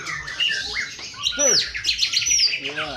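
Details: White-rumped shama, Aceh type, at a singing competition: varied whistled phrases with swooping rising and falling notes and rapid trills, several birds overlapping amid crowd chatter.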